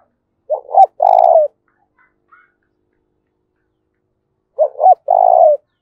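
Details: Spotted dove giving its fight-provoking 'giọng thổ' coo: a pair of short hooked notes followed by a steady longer coo, heard twice about four seconds apart with silence between.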